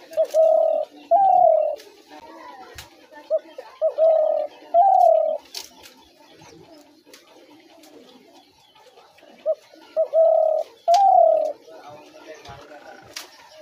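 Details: Spotted dove call for luring doves into traps, sounding as short notes followed by two drawn-out, gently falling coos, given in three series separated by quiet pauses, with occasional clicks behind.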